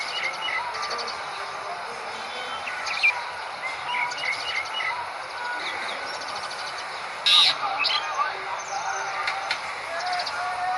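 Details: Wild Asian pied starling at its nest, giving varied chattering song of short whistled and scratchy notes in irregular bursts, with a louder harsh burst near seven seconds; faint human speech and rural background noise.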